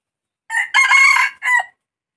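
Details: Single crow of a red junglefowl, harsh and abrupt, broken into a quick first note, a sustained strained middle and a short dropping end, heard cleanly in otherwise silent surroundings.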